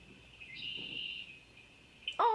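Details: A Red-winged Blackbird calls from the background at a pond surrounded by woods in New York on an overcast, windy day. It gives a thin, high, drawn-out whistle of about a second, somewhat distant, before a person begins speaking close by.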